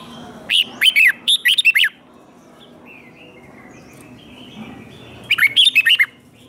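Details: Caged red-whiskered bulbul delivering its fighting song, used in voice training: two rapid bursts of warbled, looping whistles about four seconds apart, with a soft fainter note between them.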